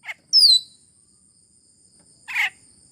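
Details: Sulawesi Asian glossy starling lure call: a brief buzzy note, a clear high whistle sliding downward, then a harsh rasping burst about two seconds later, with a constant thin high tone behind.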